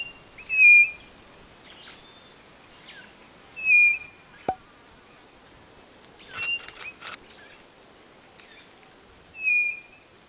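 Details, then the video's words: White-bellied Nothura from Brazil's northeast singing short, level whistles that drop slightly at the end, given about every three seconds. Faint chirps and a sharp click are heard between them. "CANTO DA CODORNA DO NORDESTE"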